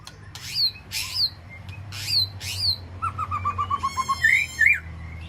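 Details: A white-rumped shama calling to its flock in an aviary gives four harsh, squawky notes with a whistled edge, then a quick run of low piping notes and bright rising whistles over a steady low hum.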